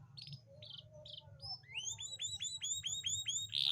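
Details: Canary song used to stimulate hard-to-mate females into breeding readiness: a few short high chirps, then a run of rapid, repeated upslurred whistled notes, about two per second rising to faster, over a low steady hum.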